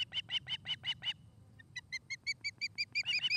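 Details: Osprey calling at a nest in Charlo, Montana, August 29, 2018, afternoon: a few harsh, buzzy chirps, a short pause, then a fast series of clearer whistled peeps rising in pitch, with low rumbling background noise.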